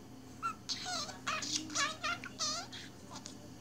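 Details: Budgerigar engrossed in its own world, babbling a dense string of harmonic, talk-like warbles and squeaky notes, about four syllables a second, rising and dipping, indoors with a low background hum.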